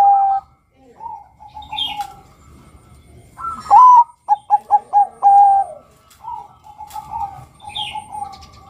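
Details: Male zebra dove (perkutut, Geopelia striata, Bangkok type) song: soft, mellow cooing notes, then a quick run of five clipped coos and a longer held note, with faint high chirps from another bird behind.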